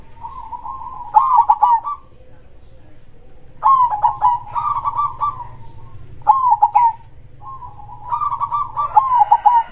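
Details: Zebra dove (perkutut), a local bird singing in the krosing style with a big voice, gives four bubbling, warbled coo phrases roughly every two to three seconds over a quiet background.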